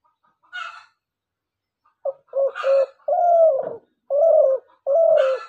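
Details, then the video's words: Dove calling, as used by hunters to lure birds: a short faint note, then a rising series of low coos that lengthen into loud, sustained hollow notes, one falling away at the end. "শিকারি ঘুঘু পাখির ডাক"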